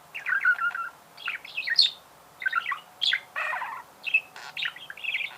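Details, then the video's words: Budgerigar song with short bursts of squeaky chirps and warbles, a high sharp note, a harsh raspy chatter in the middle, and more twittering phrases separated by brief silences. "Пение волнистого попугая. Голоса птиц"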